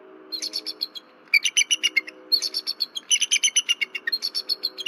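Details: Night-time nest-cam recording, 15 February 2023, Berry College: an alarmed female bald eagle gives rapid, almost continuous high chittering, with phrases running back to back and roughly four notes a second.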